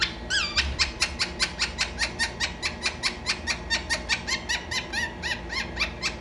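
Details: Pet parrot indoors, said to be saying "meto meto" while fighting for its nest: a rapid, steady series of harsh, harmonic squawk-like notes, roughly two to three per second, running through the whole recording in a small room.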